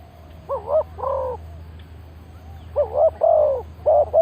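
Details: Luring call of a spotted dove, used as a decoy for trapping wild birds. Soft, rolling coos come in grouped phrases: a double coo early on, then a run of three or four mellow notes near the end. A low background hum is present.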